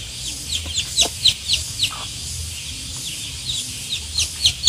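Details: One-day-old chicks peeping: short, high, downward-slurred cheeps, sometimes paired, come irregularly over a steady background hiss and low hum.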